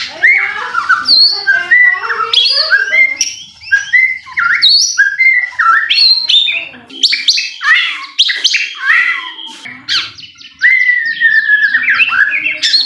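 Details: White-rumped shama singing in a lure recording meant to spur another bird into song: long, varied run of whistled slurs, chattering notes and trills with brief breaks, ending in a sustained whistle.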